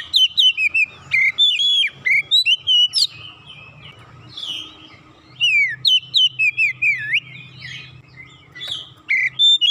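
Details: Kacer, Oriental magpie-robin, singing gacor after one lure ended its silence: long stretches of fast whistled notes, sharp downward strokes and warbles in two dense bouts split by a quieter gap, over a low humming background.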